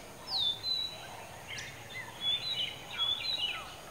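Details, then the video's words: Oriental magpie-robin perched on a dead coconut tree about 15 m up at Kankavli, Sindhudurg district, Maharashtra. It sings and calls in clear high whistles: a falling sweep at the start, scratchy notes in the middle, then short whistled phrases. Steady faint hiss behind. "Oriental Magpie Robin singing"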